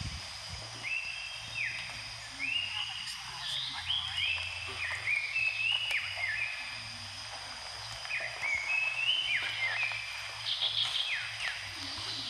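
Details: Mangrove whistler (Pachycephala cinerea) in Brunei, 2013, gives clear, high whistled notes, slurred up and down and repeated steadily, over a faint low hum.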